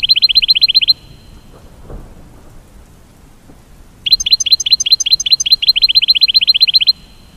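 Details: Goldfinch song with two bursts of fast, evenly spaced high chirps, separated by a quiet gap with faint low rumbling.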